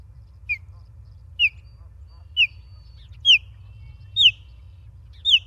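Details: Live nest-camera sound of an osprey in Charlo, Montana, 28 August 2023: six clear, high, downward-sliding chirped whistles spaced about a second apart, getting louder toward the end, over a quiet low hum.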